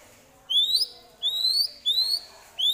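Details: White-rumped shama imitating prinia, kapas tembak or eagle: four thin, high upslurred whistles, each about half a second long, repeated roughly every 0.7 seconds.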